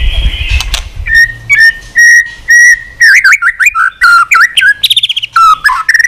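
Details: White-rumped shama, a bird trained to sing many voices, opening with steady repeated whistles on one pitch, then breaking into rapid varied slurred phrases and fluty notes; a brief low thump at the start.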